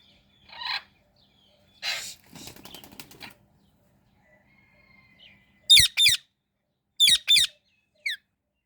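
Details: Indian ringneck parrot: a short call and a flurry of wing flapping, followed by paired harsh, piercing squawks repeated twice and a final single note.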